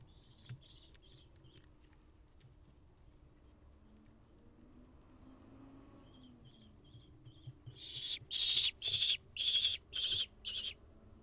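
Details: A lesser kestrel nestling in a nest box in Israel on 1 June 2021, being fed twice very fast, gives six harsh, hissing, high-pitched calls about twice a second after a few faint scratchy notes. A thin steady whine runs underneath.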